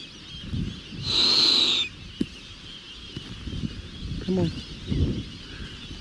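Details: A stooping Burrowing Owl on a Venezuelan ranch, about four or five feet away, gives one harsh, high screech lasting under a second, dropping slightly in pitch, while a man speaks softly around it.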